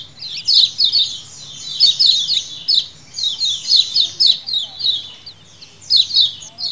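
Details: Lemon-bellied white-eyes calling as a colony, wild-style recording used as a lure: dense, overlapping high chirps, each sharply falling, in quick bursts roughly every second with brief pauses between clusters.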